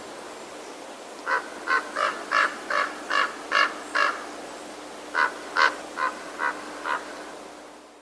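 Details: A Common Raven in Sonoma County gives hoarse 'bronk' croaks that are deeper, more resonant and gurglier than a crow's: a run of eight at about 2.5 per second, a pause, then five more.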